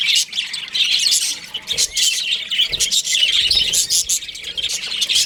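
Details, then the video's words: An aviary of baby budgies giving a constant chorus of shrill chirps and squeaky chatter, many birds calling together with short louder flurries and a few soft low thumps. "Baby Budgies Chirping Sounds"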